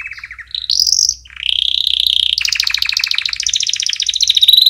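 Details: Canary singing for training chicks: short chirps, a high sweeping note, then long fast trills of repeated notes shifting between pitches, finishing on a thin high whistle.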